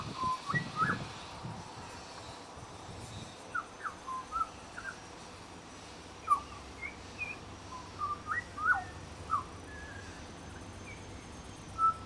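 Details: At a bird sanctuary, a pied butcherbird performs a mimicry song copying other birds: a long run of short, varied whistles and slurred notes jumping between pitches, delivered in quick clusters, over a steady low hum.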